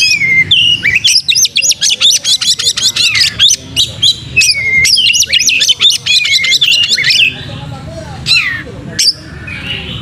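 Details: Oriental magpie-robin (kacer) singing prolifically, used as a lure to prompt tail-spreading: dense, loud run of high sharp chirps and rapid trills, with clear descending whistles at the start, middle and end, and a quieter, more scattered final stretch.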